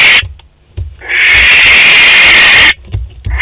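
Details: At a Théding nest box on 12 May 2020, a barn owl of a visiting pair lets out a drawn-out, grating screech of about a second and a half, with light knocks before and after.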